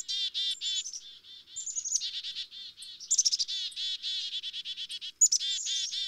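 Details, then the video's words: Black-capped chickadee chatter: buzzy, nasal 'dee' notes in rapid series, high thin whistles sliding downward, and a sharp burst of fast notes around three seconds. "Black-Capped Chickadee Tweets"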